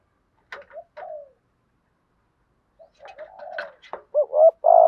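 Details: Spotted dove decoy cooing to provoke wild males, its low hollow notes mixed at first with sharp clicking and tapping sounds, ending in loud rising double coos and a drawn-out coo.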